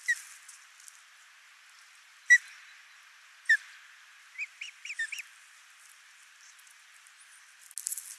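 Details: Ospreys at a nest in Finland feeding a single chick, 22 June 2024: sparse sharp chirps and a short series of rising whistled notes around four to five seconds, over faint background hiss.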